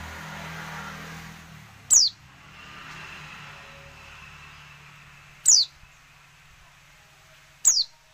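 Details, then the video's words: Female oriental white-eye calling to provoke silent or lazy males into singing: three thin, high, descending whistled notes spaced irregularly over eight seconds, with a low hum beneath. "pleci betina untuk merangsang bunyi pleci bisu"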